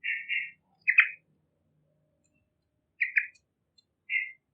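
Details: Yellow-vented bulbul used as a lure, calling vigorously: paired buzzy chatter notes, then a pause of about two seconds, another pair and a single closing burst, clean and quiet between.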